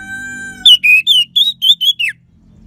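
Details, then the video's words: Orange-headed thrush, used to stir silent birds into singing; a steady, pure, held tone, then seven loud slurred whistles in quick succession, the last one falling sharply. "Gacornya ANIS MERAH Suara Kristal Bagus Untuk Pancingan Burung Lemas ataupun Macet"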